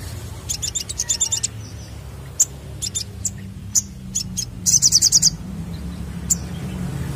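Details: Lure recording of a crested jay: a rapid high chattering burst, scattered sharp single notes, then a second dense rattle of quick clicks and one last isolated chip, with low hum underneath.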